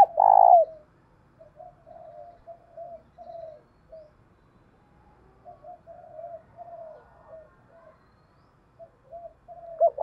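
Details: Spotted dove used as a decoy to provoke fighting, singing in the thổ bầu voice style: one loud, deep, hoarse coo at the start, then faint softer coos spread through the rest of a quiet stretch.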